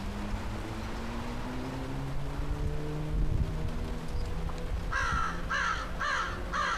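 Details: Crow in a tree being called down for dinner: a low background hum for several seconds, then a series of four harsh, evenly spaced caws at the end.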